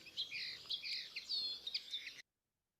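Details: Linnet, a bird seen in large winter flocks, giving a lively twittering song: quick, varied chirps and short buzzy trills run together for about two seconds before cutting off.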